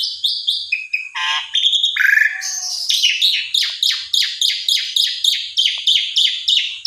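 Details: Asian pied starling used as a provoking singer: a jumble of whistles and harsh notes, then a fast run of about fifteen repeated descending chirps, roughly three per second.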